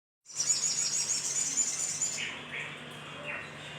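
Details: Little spiderhunter, as a lure for other birds: a long high buzzy rattling trill of about two seconds, followed by a few soft lower slurred notes, with a faint steady hum.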